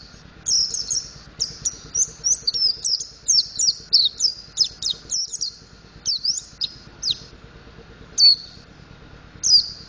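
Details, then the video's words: Pleci montanus, the mountain white-eye, practising ngriwik and ngeplong: a fast, high, twittering run of varied chirps and slurred whistles for about six seconds, then separate falling notes. "Burung Pleci Montanus Belajar Ngriwik Ngeplong"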